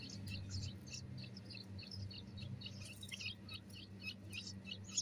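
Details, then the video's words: Bulbul chicks kept as pets, begging while being fed: a rapid run of high, thin squeaky chirps, several per second, over a steady low electrical hum. "طائر البلبل اطعام صغار البلبل feeding the nightingale chicks"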